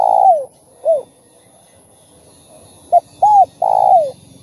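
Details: Spotted dove cooing to stimulate other doves: scattered single coos early, then a short note, an arched coo and a longer falling coo near the end, over a faint low hum.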